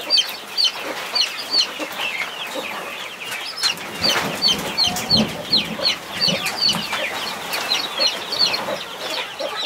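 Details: Among 21 chicks under a protective mother hen, high piping peeps repeat about two or three times a second, with low clucks and occasional scuffing noises throughout.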